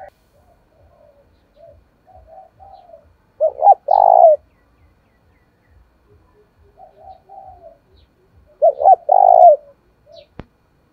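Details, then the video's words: Spotted dove cooing to provoke and lure wild doves into fighting, in a thổ-style voice. Two full phrases about five seconds apart: soft, low muttered coos build into two short loud notes and a long, drawn-out vibrating coo. "cu gáy thúc đấu/ bổi nghe là gáy, giọng hạp bổi, bổi rừng nghe là về cội"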